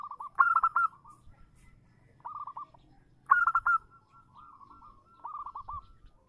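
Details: Zebra dove female calling a male, used as a lure; alternating loud stuttering bursts and softer trilled runs of short cooing notes, each phrase about a second long, over faint low background noise.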